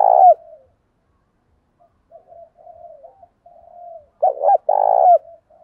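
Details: Decoy spotted dove cooing to call wild doves into a cooing contest: a loud coo opens, faint soft coos follow, then a strong double coo and a trailing softer note.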